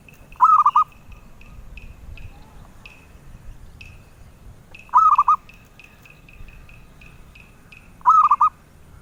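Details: Zebra dove, a sweet-voiced bird sought by collectors, repeating a rolling coo of four linked notes about every three and a half seconds, while another bird keeps up short, high, repeated chirps behind it.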